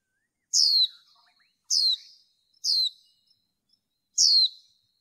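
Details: Female white-eye heard in bird training to stimulate males, producing four clean, high, descending notes about one second apart against near silence.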